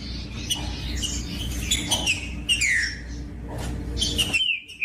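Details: Singing green-winged saltator used to stimulate reluctant birds: rich whistled phrases with strong downward-sweeping slurs, separated by short breaks, ending in a sustained level whistle.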